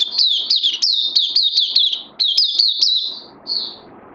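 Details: Oriental white-eye, 31 May 2020, singing fast, high, sweet chirps with little dips for three seconds. The run ends in a softer, drawn-out note over a quiet background hum.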